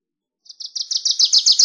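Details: Wilson's warbler song: a rapid series of about ten bright chattering notes, high and dry, growing louder and slightly quicker toward the end, with no other sounds.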